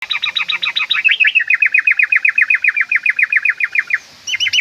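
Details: Yellow-vented bulbul (trucukan) lure call to prompt singing: fast, even run of sharp bouncing notes, about four per second, first higher and clipped, then a long steady series of slurred chirps, with a brief higher phrase at the end.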